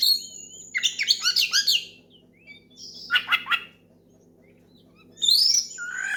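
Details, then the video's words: Oriental magpie-robin belting out song to provoke a rival into singing; rapid varied whistles and chattering notes, a dense buzzy burst mid-clip, then a high bright sweeping whistle at the end, over low background hum. "SUARA KACER MEMANGGIL LAWAN NGEPLONG KERAS BIKIN KACER LAIN IKUT GACOR"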